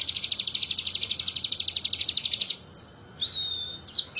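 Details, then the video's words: A crested jay sings vigorously in imitation of the bar-winged prinia: a long, very fast, even trill of high, ticking notes runs for about two and a half seconds, then falls quiet. A brief, pure, level whistle and a few sharp notes follow. "Sogon nembak ciblek gacor"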